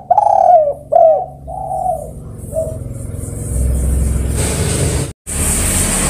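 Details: Spotted dove calling to other birds: two strong, hoarse coos with falling ends, followed by a softer drawn-out coo, then steady traffic and engine noise.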